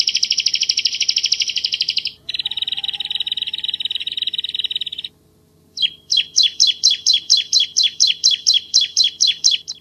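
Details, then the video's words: Bar-winged prinia of Java in vigorous, dense, clear 'tembakan' song on a tutor recording. Two long, rapid, buzzy high trills, a pause, then rhythmic sharp downslurred notes at about three per second. "Burung Ciblek Jawa Masteran Gacor Tembakan Rapat Jernih"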